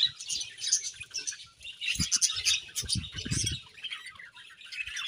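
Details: Happy budgerigars chirping in a colony, with continuous bright, warbling chatter and short squeaky notes overlapping, plus occasional soft low thumps around the middle.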